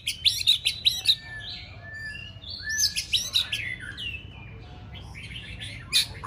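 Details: Caged white-rumped shama practising for a singing contest, varied song of quick chirp bursts alternating with sliding whistles, loud clusters at the start and near three seconds, quieter fragments after.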